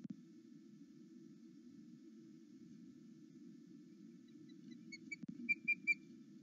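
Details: Wild osprey at its nest on a live camera at Loch Arkaig, between 08:00 and 09:00, excited at its mate's return: a quick run of bright, whistled chirps with a clipped, ringing tone near the end, over a steady low hum.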